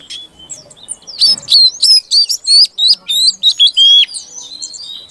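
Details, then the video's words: Female Oriental magpie-robin calling to coax a male into song: after a soft start, a loud rhythmic series of about a dozen clear whistled and slurred notes, each separated by short even gaps. "Suara Kacer Betina Untuk Pancingan Kacer Jantan Yang Macet Bunyi Agar Gacor"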